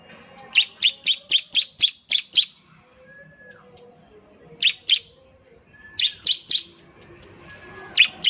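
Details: Bar-winged prinia singing semi-actively, said to set off other prinias into rapid calls; a run of eight quick high chirps, then pairs and triplets, over faint low whistles in the background.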